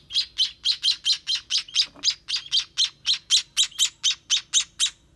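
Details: Fast, insistent begging from baby sparrows being fed: high, sharp chirps repeated about four per second in a continuous run, one faint click partway through.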